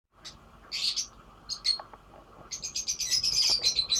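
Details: Lovebird singing: scattered high, squeaky chirps early on, then from midway a dense, fast run of shrill, twittering notes that continues to the end.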